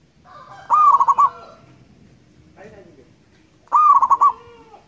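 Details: Local zebra dove from the wild sings two quick rolling coo phrases of stuttered notes, three seconds apart, with a softer low coo between and light background noise.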